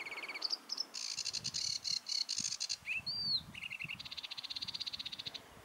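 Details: Sedge warbler singing: a hurried, varied medley of high buzzy rattles, short whistled slurs and chattering trills, ending in a long run of fast, evenly repeated notes, over a soft low background rumble.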